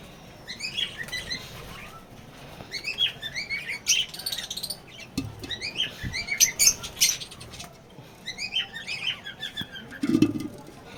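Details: A colony of lovebirds with young birds gives quick runs of bright, stacked chirps in repeated bursts, with a low brief thump near the end.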